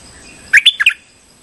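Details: Short trapping lure call of a streak-eared bulbul: four quick, bright chirps in under half a second, rising then falling in pitch.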